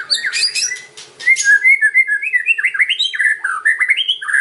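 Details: Kretekan-style white-rumped shama song meant to draw other shamas into replying: crackling high bursts open, followed by a long chain of fluid whistled notes rising and falling in quick succession; soft constant hum behind.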